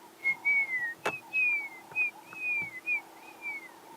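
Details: An African grey hornbill in the distance at sunrise in the Sabi Sand bush on 11 April 2016 gives a run of thin, plaintive, sad whistled notes, each sliding slightly downward, about two per second, with one sharp click partway through.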